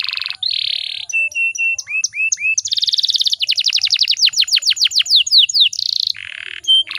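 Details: Atlantic canary, a female used to provoke males into singing, in a varied song: buzzy bursts, short level whistles, rising slurs, then a fast trill of downslurred notes and more buzzy phrases.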